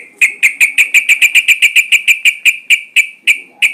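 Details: Sooty-headed bulbul sound used to lure birds into singing. A steady, loud series of about twenty crisp, sharp notes, fast at first and then gradually slowing and spacing out.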